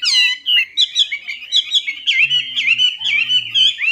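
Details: Lure song of a Chinese hwamei: crisp, repeated whistled notes turning into a fluent run of rolling, twisting phrases, with a faint low hum underneath in the second half.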